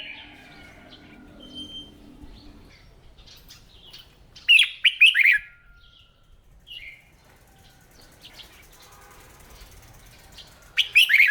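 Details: Red-whiskered bulbul trained to sing each morning; a bright rapid phrase of rising whistles mid-way and another at the end, low hum early on.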